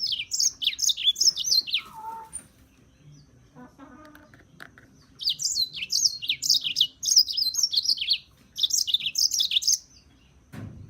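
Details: European serin singing fast, very high, jingling phrases of short slurred notes, two bursts separated by a quiet gap with a brief lower note in between.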